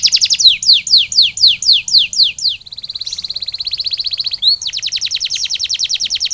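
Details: Canary singing for post-molting recovery: repeated descending whistled notes about four per second, then a level rolling trill, a short upward slur and a long rapid pulsed tour to the end.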